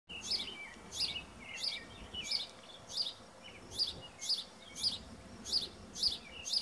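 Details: House finch nestlings begging from their nest in a tall spruce tree, recorded 06-09-17: thin, high squeaky calls repeated about every half second to two-thirds of a second, around ten in a row over steady faint background noise.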